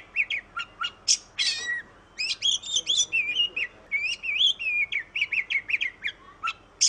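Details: Kacer, the oriental magpie-robin of Indonesia, sings a melodious string of whistled notes, buzzy harsh bursts and warbled phrases that rise and dip, with brief pauses between groups.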